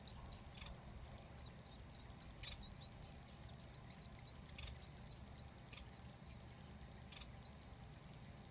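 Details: Begging Society finch chicks, three, being fed by their father: a continuous, fairly soft patter of rapid high chirps with a few short clicks or knocks cutting through now and then.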